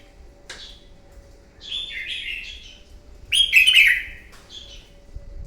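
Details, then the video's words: Wild-caught red-whiskered bulbul giving a morning fighting song used to stir and train other birds. Two rich, warbled phrases gliding down through the mid-high range, the second louder and more complex, separated by a quiet pause. "Kích chào mào bổi hót đấu, luyện giọng chào mào hót đấu buổi sáng kích chim hót đấu căng lửa"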